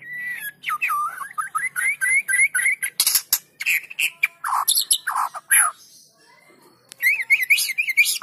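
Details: White-rumped shama singing hard as a lure for reluctant shamas; a looping wavering whistle repeated many times, loud harsh bursts midway, then a rapid rippling trill near the end.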